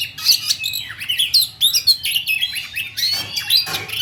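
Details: Songbird delivering fast rolling song, a quick run of sliding whistles and high chirps that sweep up and down, phrases closely packed, over faint low background hum.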